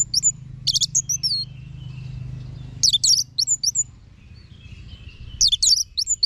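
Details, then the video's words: Orange-headed thrush (Geokichla citrina), a kept songbird in Singaraja, North Bali, used as a song tutor, sings rich, varied phrases of high whistles and chattering notes, a new burst every two to three seconds, over a low background hum. "Guru Vokal ANIS MERAH Agar Selalu Ikut Nyaut Ngeplong"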